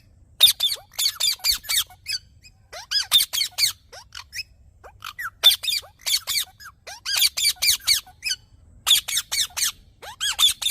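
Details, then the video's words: Rapid runs of shrill, rasping squeaks from a green parrot, delivered in dense clusters separated by short pauses, interspersed with faint curved whistles. "Green Parrot Natural Sounds"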